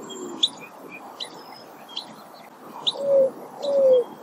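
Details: Greater roadrunner (Geococcyx californianus) gives two low, soft, slightly falling coos in the second half, with sharp high chips from other small birds scattered throughout.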